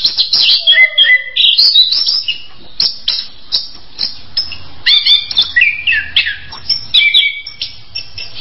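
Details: Orange-headed thrush delivering bursts of clear whistles and rapid chattering notes, separated by brief pauses, with a faint low hum underneath.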